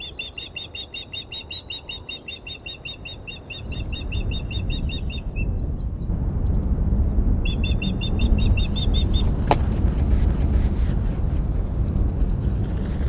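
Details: Female osprey protesting as an unringed male lands on the perch of the Glaslyn nest on 14 April: rapid series of sharp, whistled chirps, about three to four a second, pausing, then resuming briefly over low rumbling wind noise.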